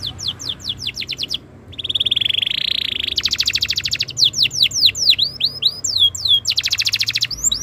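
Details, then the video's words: Canary tutor song to get other canaries singing: quick downslurred whistles, a smooth sustained buzzy tour, a dense rolling trill, then varied swooping whistles and another fast trill. "MASTERAN BURUNG KENARI ABAD INI - BIKIN KENARI LAIN IKUT BUNYI"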